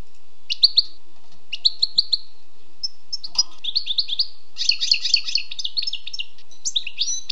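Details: Wild European goldfinch: short repeated chirped notes in pairs, then a build into fast, jangling twitter with buzzy overlapping notes, with faint soft noises in the background.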